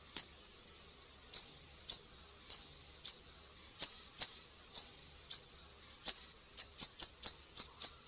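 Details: Siri-siri song for tutoring pet songbirds: thin, high, sharp chips spaced about half a second apart, speeding into a fast run near the end; a quiet background.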